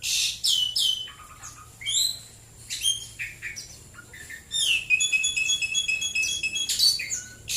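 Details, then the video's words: Morning song of a white-rumped shama: quick high sweeping whistles, rapid trills and varied chirpy notes in fast succession with brief gaps between bursts. "KICAU BURUNG MURAI BATU DI PAGI HARI"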